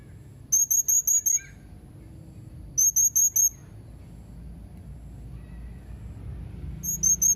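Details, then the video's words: Serindit, the blue-crowned hanging parrot, 31 March 2021: rapid bursts of four or five shrill, high-pitched tsit notes separated by pauses of about two seconds, with faint low rumble behind. "Burung Serindit anda gak akan diam mendengar Suara serindit ini"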